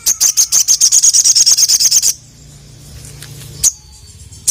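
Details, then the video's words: Sogon (ruby-cheeked sunbird) calling a male: a fast, regular trill of about sixteen sharp high notes lasting two seconds, then near silence with one lone chip. "SOGON GACOR FULL ISIAN DENGAN SUARA BURUNG SOGON YANG GACOR MEMANGGIL JANTAN INI"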